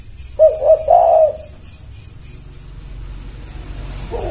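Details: Spotted dove (tekukur) responding with a single short phrase of three low hollow coos, the last drawn out and wavering, followed by quiet background rumble and a faint start of another coo.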